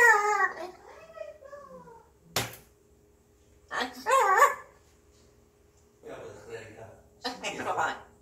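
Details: Pet grey parrot humming to itself indoors on a day it seems in a good mood: wavering sliding tonal notes, then gaps, then brief voice-like chattering bursts.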